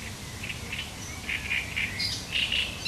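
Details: Great reed warbler singing on 1 July 2020, a sharp chattering song: a run of short, rough notes repeated about four times a second, with a few thin higher whistles mixed in over a low background hum.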